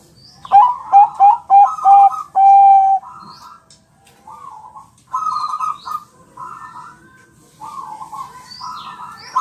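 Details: Bangkok-type zebra dove of champion class singing on a training track that makes birds reply. Rapid short coos end in a long level note. Repeated rough, warbled phrases from other birds and high chirps sound through the background.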